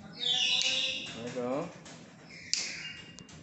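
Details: Black-capped lory, tame and chatty, gives a loud grating squawk, then a short speech-like warbling phrase and a sharp final squawk, in a quiet room.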